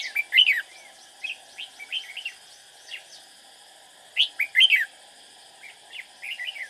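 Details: Trapping decoy red-whiskered bulbul singing to attract rivals, delivering repeated bouncy chirped phrases, two louder bursts early and midway, over a steady high hum.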